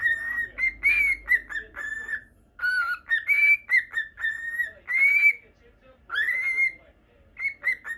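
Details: Pet lutino cockatiel whistling indoors during a live stream: a run of clear, bright whistled notes, some rising and bending upward, delivered in quick phrases with short pauses between them.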